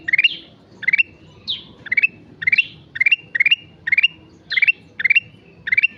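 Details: Rapidly repeated song of a sooty-headed bulbul (gacor): nearly continuous series of short ascending chirped triplets, about two per second, with an occasional high falling slur; soft low rumble underneath.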